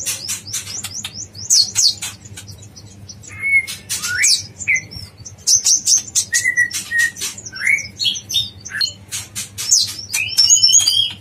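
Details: Yellow-vented bulbul training recording in dacok blorok style, bursts of quick chattering notes broken by mid-pitched slurred whistles that swoop upward, then a busy cluster of sharp high chirps at the end.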